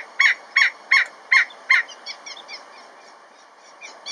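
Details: Giant Kingfisher (Megaceryle maxima) in Kruger National Park calling to its mate with a very sharp sound: five loud, harsh, cackling notes about two and a half per second, then a fainter, quicker series trailing off.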